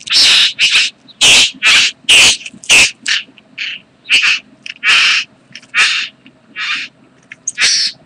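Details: Bowerbird (karawarra) during mating, recorded 8 January 2014: loud, grating rasps repeated about once a second, harsh and hissing, some quieter softer scrapes between them.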